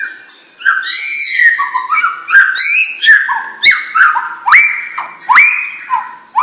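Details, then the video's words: Song of a white-rumped shama of champion stock: loud, rich whistled notes that slur and rise, delivered in punchy phrases roughly every second, with sharp upward-swept whistles repeated toward the close. "Murai Batu Bibit Trah Juara"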